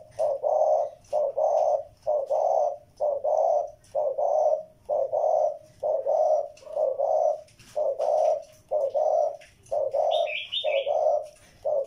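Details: Repeated low, husky coos from a spotted dove, short-long pairs delivered steadily about once a second throughout, with a brief high twittering from another bird near the end.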